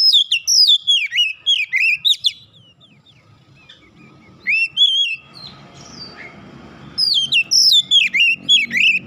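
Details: Oriental magpie-robin worked up by provocation, singing an aggressive challenge: fast strings of sharp whistled notes, a softer scratchy middle section, then renewed loud, rapid phrases.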